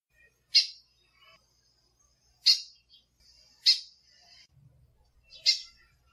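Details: Female lined seedeater calls: four sharp, high chips spaced one to two seconds apart, with faint softer notes in between and a low rumble near the end.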